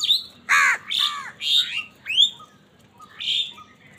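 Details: Crows fighting for food give harsh, grating caws alternating with thin, rising squeals, five or six loud bursts in four seconds before a quieter final cry.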